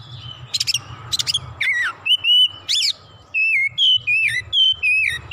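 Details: Agitated oriental magpie-robin singing its full repertoire: crackling harsh notes open the phrase, followed by a steady series of loud, sliding whistles about every half second.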